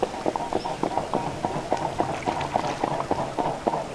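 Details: Mute swans taking off or flying over ponds in Europe, autumn and spring. Sharp, percussive rhythmic wing strokes, about three to four a second, with brief crackly overtones.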